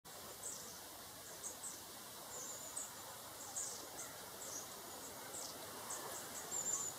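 Long-tailed tits give thin, very high see-see notes and short sputtering bursts, scattered irregularly over a steady hiss of background noise.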